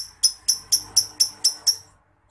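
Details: Lovebird giving a ngetik and ngekek style call, used as a master sound for training Indonesian contest songbirds: eight sharp, high, clipped chirps at about four per second, then silence.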